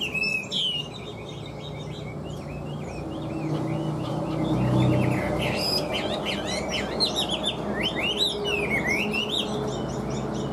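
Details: A caged, large-built Chinese hwamei in fresh plumage sings a long run of clear, varied whistles, with quick rising and falling notes tumbling almost continuously, brief pauses between, and a soft low rumble and hum in the background.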